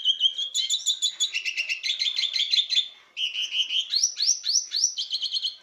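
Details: A male lesser goldfinch in breeding condition, courting a female, sings a fast, high twittering stream of trills and buzzy notes, ending in a run of sweet rising slurred whistles.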